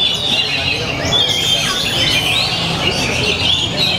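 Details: Oriental magpie-robin (Copsychus saularis) at a songbird contest, Sungai Bambu, North Jakarta, 17 January 2021, sings a long, complete song of bright varied whistles and quick chattering phrases over crowd murmur and other birds; it nearly took a double win.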